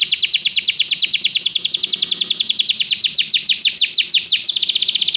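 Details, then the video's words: Training song of a canary, played to spur a pet canary into singing: a long run of rapid, repeated high sweeping notes that slows into broader downward swoops before switching to a tight, fast trill. "Este canto canário inspira o apetite do seu canário para cantar imediatamente"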